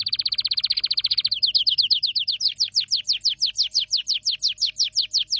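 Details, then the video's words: Canary singing a very fast trill that gives way to a long run of repeated descending whistled notes, steady in rhythm. "Canary singing"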